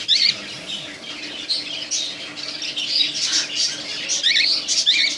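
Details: Pair of pet cockatiels in a small room giving harsh, bursting squawks and short screeches in irregular clusters, with some faint soft rustling between calls.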